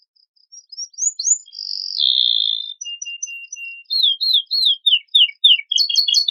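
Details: Canary singing a rich master song intended to prompt untrained birds to sing: scattered upward flicks, a harsh buzzy note, a thin level whistle, then a run of falling swept notes and a closing burst of quick high chips.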